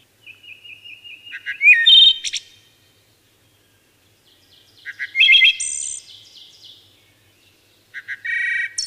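Wood thrush sings three flutelike phrases, each opening with soft notes and ending in a clear, ringing trill, spaced a few seconds apart against a quiet background.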